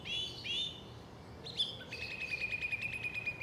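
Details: In southern England, a song thrush sings a bright whistled phrase twice in quick succession, then a rapid, even run of sharp repeated notes, over a faint low rumble.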